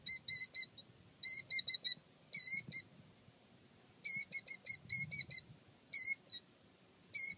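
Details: A male Killdeer, more protective than his calm mate, gives shrill, piercing alarm notes in quick bursts of three to six, renewed about every second, over a faint low rumble.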